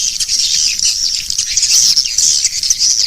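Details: Swiftlet calling sound, used as a lure to attract swiftlets: a dense, continuous high twittering chatter without breaks, rising and falling in loudness across the whole stretch.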